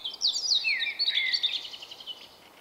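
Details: Male Common Blackbird with an unusual song, March 2024. A loud, dense burst of high twittering and squeaky slurred whistles, fading out over about two seconds.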